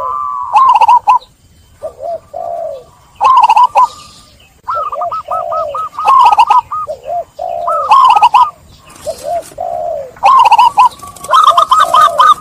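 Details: Zebra doves cooing to lure stressed doves back into song: several overlapping birds give rapid bursts of short, hooked, mellow notes, with brief quiet gaps between the loud bursts.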